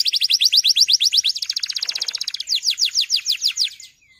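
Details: Male canary in full song, calling a rival to help young canaries learn: a quick high chipping trill, a softer buzzy roll, then slower falling whistles fading out.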